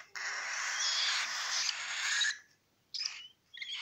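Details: Three young cockatiel chicks, siblings aged 20 to 26 days, hand-reared, just after their first morning feed: a harsh, rasping hiss of over two seconds, followed by two short scratchy bursts after a pause.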